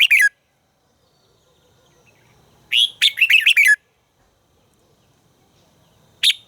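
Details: Red-whiskered bulbul during song training: a brief clipped note, then a burst of six rapid, bright warbled notes, and a fresh phrase starting at the end after a long quiet gap.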